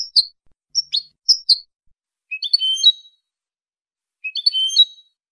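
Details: European goldfinch giving clean song: three short high twittering notes, then two longer bursts of bright, tinkling chirps with a sustained whistled note, separated by brief pauses, with no background noise.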